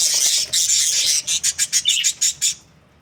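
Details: Budgerigars, Australian parrots kept as breeding pairs, give a run of about eight short, sharp, evenly spaced chirps after a burst of chatter, then fall silent.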